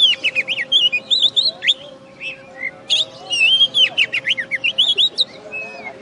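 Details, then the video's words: Caged first-place contest winner oriental magpie-robin from West Kalimantan, Indonesia. The song runs as a rapid string of clear whistled slurs and chips, rising and falling, nearly continuous for six seconds over a low hum. "Kacer Juara 1 Habis Gantang"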